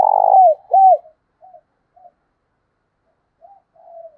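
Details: Spotted dove kept as a decoy, calling to provoke rivals: a burring coo ending in a downward slur, an arched coo, then several soft, faint coo notes trailing off.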